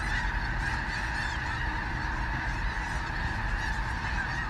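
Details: Sandhill crane flock lifting off near a bridge south of Gibbon, Nebraska, on March 2, 2018: a dense, continuous chorus of overlapping rolling calls merging into a steady roar, with low rumbling background noise.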